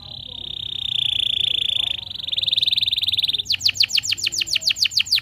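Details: Canary song played to make other canaries start singing: a long steady whistled trill, shifting to a faster pulsed trill, then a series of rapid descending whistled notes.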